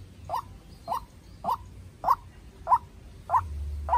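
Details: White-breasted waterhen, a young decoy bird calling against a wild bird in a tense duel; seven short rasping notes evenly spaced, roughly every 0.6 seconds, with low droning noise.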